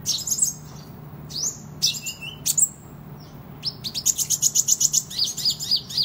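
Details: Kolibri ninja sunbird singing vigorously, a recording meant for competition and tutoring: isolated sharp high chirps at first, then a fast even run of about a dozen bright ticking notes, over a faint low hum.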